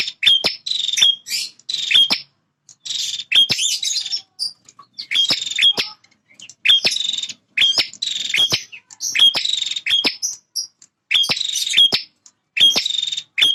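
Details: A singing male bar-winged prinia, defending its feeding and nesting territory, pours out repeated harsh buzzy phrases introduced by sharp clicks, bursts following each other closely over thirteen seconds in a steady, excited rhythm.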